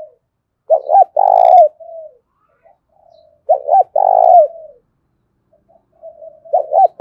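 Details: Spotted dove lure call meant to provoke fighting, resounding strongly: repeated phrases of two clipped rising coos and a long rough coo with a falling tail, roughly every three seconds.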